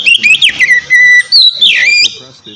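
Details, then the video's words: White-rumped shama (kacer) singing in the relaxed ngeplong style, used to coax lazy birds into singing: loud whistled notes, sliding and fluting, in short bursts with brief pauses. "kacer ngeplong santai ampuh buat mancing kacer malas binyi agar cepat rajin bunyi"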